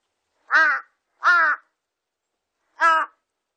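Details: Three long, grating caws of a large-billed crow, the first two close together and the third after a pause of over a second, each call broad, hoarse and slightly falling at the end.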